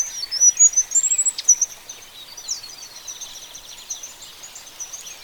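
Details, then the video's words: Oriole Finch (Linurgus olivaceus) giving high, thin, twittering notes in a quick burst over the first second and a half, then softer high chatter fading under steady background hiss. "Oriole Finch (Linurgus olivaceus)"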